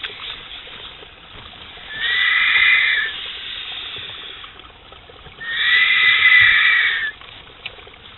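Griffon vultures give two harsh, rasping squeals, each about a second long and roughly three seconds apart, over a faint steady hiss.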